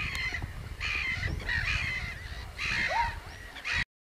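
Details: Common crane giving a series of rough, rolling bugle-like calls in closely spaced bursts, with a short rising lower note near the end, against constant low-pitched background rumble before the sound cuts off.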